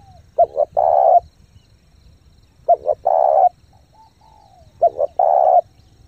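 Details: Fast-cooing spotted dove used as a lure for wild doves: three phrases about two seconds apart, each a pair of short notes and a long even coo, a faint whistle between.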